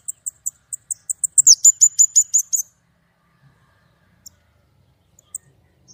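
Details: White-rumped shama in gacor nembak singing, clear-voiced: evenly spaced sharp high chips speeding up into a dense ringing run of repeated whistled notes, then quiet with a few isolated chirps.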